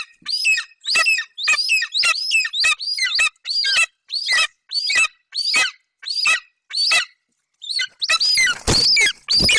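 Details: A young golden eagle at a Bucovina nest keeps calling while standing over a Eurasian hare until his mother leaves, July 2021. Rapid, strident whistled notes run in a dense series, ending with loud scraping and rustling noises.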